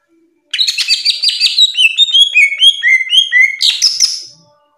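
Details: Greater green leafbird, kept as a cage bird, delivering a dense burst of buzzy chatter that turns into a string of repeated down-slurred whistles, about two per second, ending in a harsh rising note.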